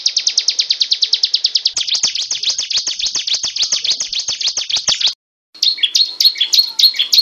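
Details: Drilling ngebren song of a ciblek gunung prinia, a very fast, even rattle of high notes held for about five seconds, a brief gap, then looser high chirps.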